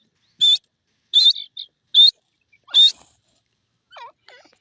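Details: Grey francolin (teetar) giving loud, shrill, high-pitched notes spaced about a second apart, with a few soft, low wavering notes near the end.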